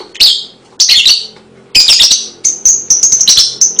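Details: Lovebird chirping, meant to draw young birds into song: three harsh, squeaky bursts separated by short gaps, followed by a quick series of bright, piercing chirps.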